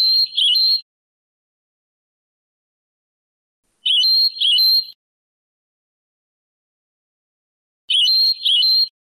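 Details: Sebtaoui-style song of a European goldfinch, Moroccan song style of the late 1990s and early 2000s, transferred from an old cassette: short bright twittering bursts of about one second repeated roughly every four seconds, silence between.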